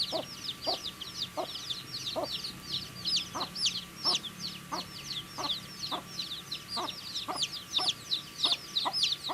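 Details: A flock of baby chicks chirping as they eat food, continuous overlapping high peeps with steady, evenly spaced pecking taps about every second and a low background hum.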